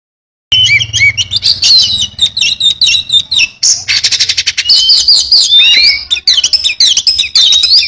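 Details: Oriental magpie-robin singing continuously with full fill-in material: fast, varied whistled notes, sharp rising and falling slurs, and dense buzzy rattles packed together with hardly a pause.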